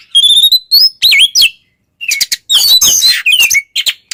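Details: White-rumped shama singing loud 'ngeplong' song used to provoke other shamas; pure sliding whistles and looping notes mixed with harsh chattering bursts, split by a brief silence.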